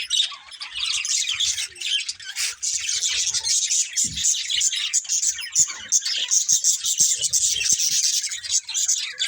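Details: Budgerigars, several together, give a steady wash of raspy warbling and squeaky chirps, dense and fairly even in volume, with a brief low thud around the middle.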